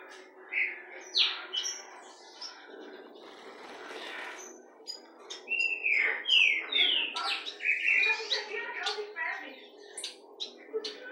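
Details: Tame pet Black-throated Saltator (Saltatricula atricollis) fledgling, loose indoors and already starting to sing, gives sharp, squeaky chirps and slurred notes in irregular bursts over a faint indoor hum.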